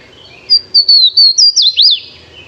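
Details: A single Swainson's Warbler recorded with a parabolic reflector, so the bird is bright and loud over very quiet background: a loud, ringing phrase of clear whistled slurs descending in pitch.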